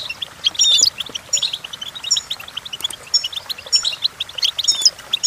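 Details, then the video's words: Goldfinch song used for teaching goldfinches to sing: rapid twittering of high, tinkling notes and short trills, repeated in bursts across the whole stretch, with several fast chirps overlapping and faint background noise. "The Entrancing Song of Goldfinches Birds"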